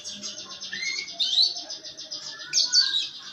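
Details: Caged canary singing a harsh "ngeriwik" chattering song meant to prompt other canaries to sing: a fast buzzy rattling trill with rising whistled slurs, over faint low room noise.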